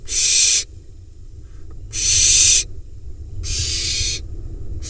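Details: A nestling barn owl pesters its father after he drops off a mouse, Hula Valley, Israel, July; three long breathy rasping hisses spaced about 1.5 seconds apart over a low background rumble.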